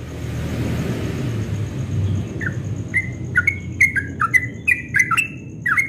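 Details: Dawn song of a yellow-vented bulbul in the rapid ropel style. Low rumbling background gives way to a quick series of clear, slightly down-slurred chirps, each with a sharp click-like start, repeated about twice a second.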